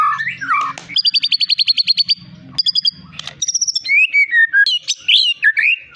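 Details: Champion caged white-rumped shama of the long-tailed Medan type delivers rapid buzzy trills of repeated clicks, a high steady whistle, then looping slurred notes; a low hum runs underneath early on.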